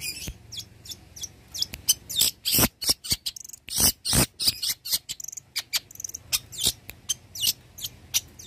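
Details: Long-tailed shrike, a songbird that copies many other birds, recorded for training: rapid sharp clicks, scratchy chatters and high thin chirps in an irregular stream, with some loud harsh bursts.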